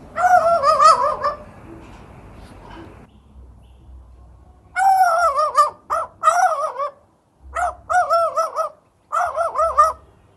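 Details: A magpie, adopted by a Staffordshire bull terrier, barks like a dog: harsh, rhythmic bark-like bursts with a wavering, stacked tone, in clusters of three to four quick notes between pauses.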